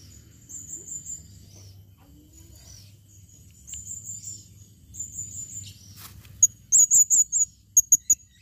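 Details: Soft high trilled notes from a calling female blue-crowned hanging parrot, followed by louder, shrill squeaky notes repeated quickly near the end over a low background hum.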